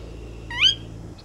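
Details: Sora uttering one clear, rising whistle, short and strong, against a low steady hum.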